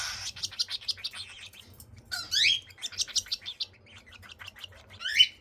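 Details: Baby cockatiels being fed produce rapid, raspy chirps in quick runs, with sharp upward-sweeping squeaks near the middle and end; low hum underneath.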